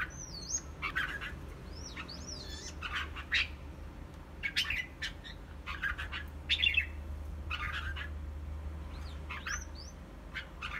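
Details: Red-whiskered bulbul performing a wing display, giving short bright chirped phrases and looping whistled sweeps in bursts every second or so, with a steady low hum underneath.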